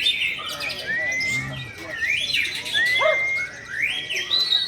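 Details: White-rumped shama, one of two caged birds set against each other, delivers long pure whistles and bright arching swoops, some notes held and rising, amid background chirping and occasional speech.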